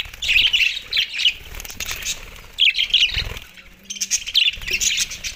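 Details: Australian budgies feeding on soft food in December 2023, uttering several bursts of high, trilling chirps separated by short quiet gaps, with wingbeats and a low hum in the background.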